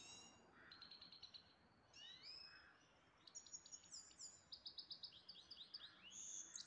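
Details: Pet grey-headed goldfinch in Istaravshan, with a longer stretch of high twittering song: quick chirped notes in clusters, rising slurred whistles and fast tinkling trills, broken by short soft buzzes. Faint background hiss.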